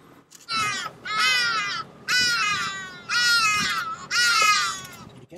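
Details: Hadeda ibis (Bostrychia hagedash) in Akagera National Park, Rwanda, in March 2013, gives five loud, harsh, nasal 'haa' calls, roughly one per second, with faint voices talking underneath.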